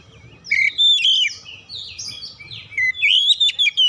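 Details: Oriental magpie-robin lure song aimed at getting birds to sing loudly: sweet whistles and slurred buzzy notes, a quieter stretch midway, then a closing flurry of clear rising and falling whistles.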